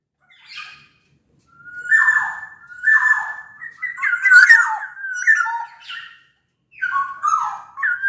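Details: Black-naped oriole of the Sumbawa type, large in body, opening with level whistled notes that grow into tangled, buzzy-toned liquid phrases, then two more short whistles after a pause.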